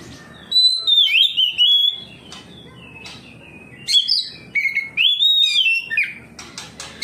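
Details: Oriental magpie-robin belting out ngeplong song in reply to another magpie-robin, showing its repertoire; long sliding whistles wavering high then low, broken by clicks, with two main bursts split by a pause.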